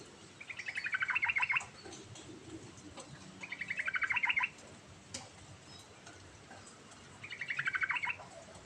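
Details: Three rolling, descending phrases of a yellow-vented bulbul singing ngerol song. The rapid pulsed notes come in bursts of about a second, spaced three seconds apart, with a sharp click midway.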